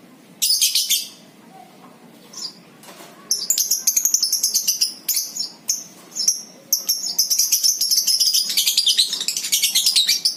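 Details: Lovebird ngekek used as a trigger for other birds: an opening shrill burst, a pause, then a long, unbroken stream of rapid, piercing, rasping chatter lasting several seconds.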